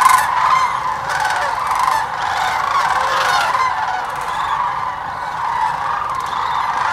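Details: Thousands of wintering migrant sandhill cranes at Hiwassee Wildlife Refuge, Birchwood, Tennessee, where they stay from mid-October to February; the large flock fills the air with continuous overlapping rolling, trumpeting rattles, a dense chorus with no pauses.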